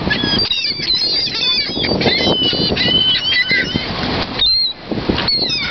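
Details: Flock of gulls in downtown Orlando at Lake Eola, taking over the area; many overlapping short harsh cries and squeals, some rising then falling, over a steady roar of wind or wing flapping, with brief distant voices.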